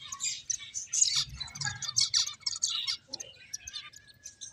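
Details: Finches at play chirp busily in bright, high-pitched bursts, notes crowding together and briefly pausing near the end, over a faint low background hum.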